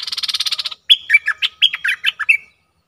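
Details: A streak-eared bulbul phrase opens with a rapid run of buzzy pulses, then breaks into about ten loud, liquid chirps and whistled notes that dip and rise before ending on a short level whistle.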